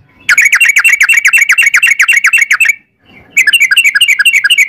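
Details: Sooty-headed bulbul's long rapid 'ropel panjang' singing, meant to coax other bulbuls into song: a steady two-and-a-half-second stream of quick, harsh notes, a short break, then another rapid burst.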